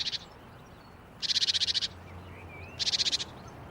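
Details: Great Tit alarm call, given when a cat or human comes too close: a harsh, scolding rattle in three bursts of rapid churring notes, each about half a second long, over faint background noise.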